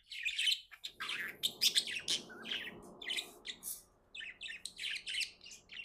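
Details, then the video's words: Budgerigar chirping happily as a pet: rapid strings of bright, scratchy chirps and twittering notes in quick succession, with a soft low-pitched chatter beneath during the middle. "Happy budgie chirping sounds"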